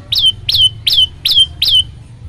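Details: Five sharp, downward-sweeping whistled notes of an olive-backed tailorbird, each ending in a short level tone, spaced about every third of a second; this song is played to make other birds join in singing. Faint low hum behind.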